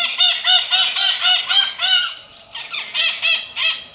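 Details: Loud, metallic shrieks of a maritaca delivered in a fast, regular run of about eight notes, then a brief pause and a few more rasping calls.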